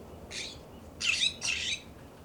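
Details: Immature California scrub jays in a yard in Pacific Grove, California, give three harsh, raspy squawks in quick succession, the last two longer and louder, over a faint background hiss.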